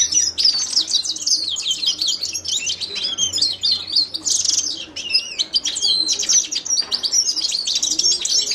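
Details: Carduelis caniceps, the Himalayan goldfinch, pours out a dense, unbroken run of high twittering, sweeping chirps and buzzy trills.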